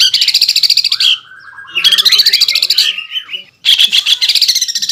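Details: Greater green leafbird delivering a fast rolling trill in the 'ngeroll' style: three bursts of rapid, buzzy high notes, the middle one sliding into mixed whistles before a short quiet gap.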